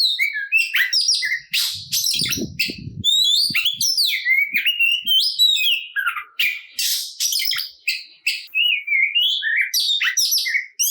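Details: Oriental magpie-robin fighting song meant to anger rivals and draw them into singing: a long stream of sharp whistles, quick slurs and harsh buzzy notes in short bursts, with brief low knocking near the start.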